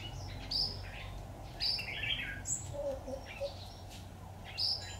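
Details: Red-whiskered bulbul at a trapping site using a decoy bird, 26 October 2019: a few bright whistled notes and quick chirpy phrases separated by pauses, over a low droning hum.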